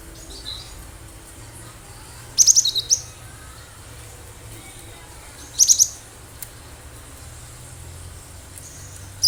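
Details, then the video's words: Wild cinereous tit (gelatik batu), recorded singing hard for use as a bird-trapping lure. High, thin note clusters come in bursts roughly every three seconds, with a low hum underneath. "Gelatik batu gacor suara asli liaran cocok buat pancingan pikat burung"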